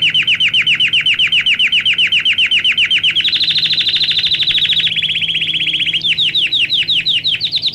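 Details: Canary; song; tutor song for young birds learning to sing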